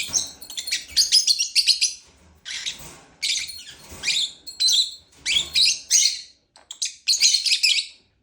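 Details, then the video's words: Harsh, high lovebird chirps arrive in clustered bursts separated by short pauses, each burst a string of buzzy, rasping notes. "Lovebird chirping sound"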